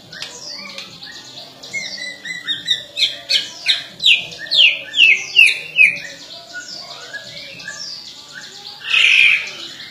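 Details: White-rumped shama in energetic song: a rich run of varied clear whistles, slurred downward notes delivered rapidly in a rising, louder sequence, then a harsher burst near the end.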